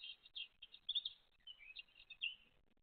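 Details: Great tit mother and chicks, 29 April 2023: rapid high-pitched chirping, several short squeaky notes tumbling together in under three seconds, ending in a slurred downward twitter.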